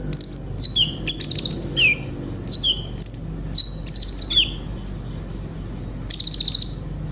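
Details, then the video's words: Caged brown-throated sunbird song used as training material for other birds: sharp high chirps and short downward-slurred whistles in quick bursts, a pause, then a buzzy rapid trill near the end. "Terapi suara burung konin gacor full isian materi nembak panjang"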